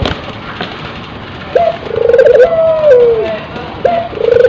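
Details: Dove in breeding condition, a tekukur and puter cross, gives a short upslurred note, a rapid burbling roll and a drawn-out steady coo sliding down, then begins the phrase again.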